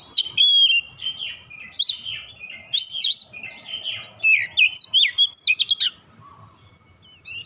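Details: Oriental magpie-robin singing a lure song meant to set other birds singing: a rapid, continuous string of bright whistles, slurred upswings and clipped chattering notes for about six seconds, then near silence with one last short whistle.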